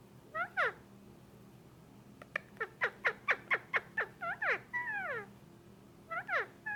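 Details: Indian ringneck parakeet, a male kept indoors as a pet for a month, making noises while stroked: harsh arched squawks and a quick run of short descending chip notes, about two per second.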